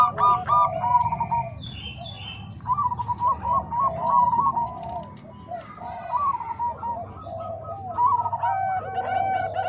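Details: Bangkok and Cemani Kolbuntet zebra doves in a combined recording made to train other doves, giving bursts of soft staccato coos in quick runs, with pauses between and a few higher chirps from other birds.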